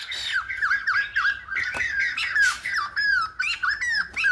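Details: Silver-headed babbler, a trapped or kept bird, singing in a rapid run of looping whistled notes around mid pitch, each slurring down then up, with harsher buzzy bursts mixed in and no pause throughout.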